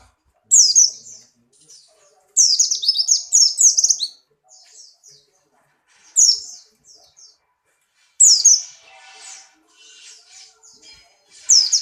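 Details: Buxtoni white-eye in strong breeding condition, hopping and singing: five bursts of high, rapid twittering, one a longer run of warbled notes, spaced by brief pauses, with faint background noise.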